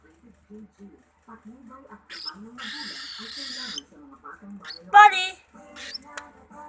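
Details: Cockatiel; contact call; responding to its name being called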